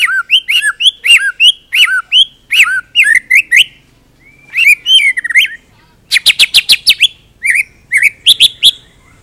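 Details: Full-repertoire song of a White-rumped shama used to train other birds: loud repeated looping whistles and chirps, then a brief pause, followed by a fast burst of sharp clicking notes and more bright whistled phrases.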